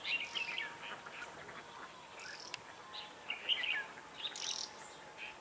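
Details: Red-whiskered bulbul used as a decoy to attract wild birds into a trap; short bubbly chirped phrases arrive in scattered bursts over a constant low hum and faint hiss, with one sharp click.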